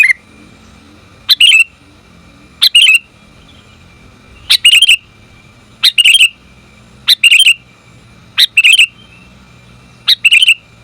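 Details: Female sooty-headed bulbul calling the male, giving sharp, gurgling chirp bursts about every one to two seconds against a constant faint tone and low rumble.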